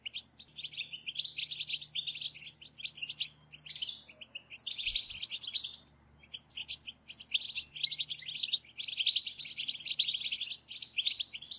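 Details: A group of European goldfinches giving sustained batbata twitter, used to encourage other goldfinches to sing: long runs of quick, sharp, high chirps and trills, broken by brief gaps, over a quiet low hum.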